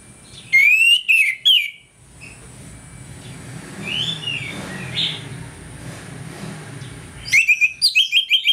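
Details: Orange-headed thrush singing ngeplong in the morning as a lure to make birds aggressive: a loud whistled phrase at the start, softer distant notes in the middle, then a quick run of sharp repeated notes at the end, with low background rumble.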